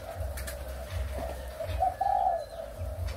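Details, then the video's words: Spotted doves of Malaysian and Thai breeding lines, recorded 23 August 2021, give faint low coos, with one clearer, longer note near the end, partly masked by pulsing low rumble. "cu gáy sinh sản malaysia và thailand"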